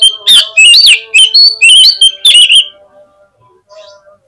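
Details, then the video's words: Oriental magpie-robin singing as a lure to get birds responding and opening their tails: energetic, loud, varied whistled phrases with sliding notes and harsh accents, stopping abruptly into a quiet steady hum and a few faint notes. "PANCINGAN KACER INI BIKIN CEPAT RESPONESHIFT || AUTO RAJIN BUKA EKOR GAMPANG NYAUT"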